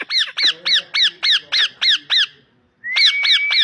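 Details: Parrot giving a fast run of about nine loud, even, arched squawks, one every third of a second, then a short silence and a long steady whistled tone broken by further squawks.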